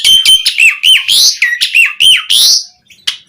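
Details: Asian pied starling repeating loud harsh phrases about three times a second, each a grating note with a dropping whistle, played to make other starlings sing.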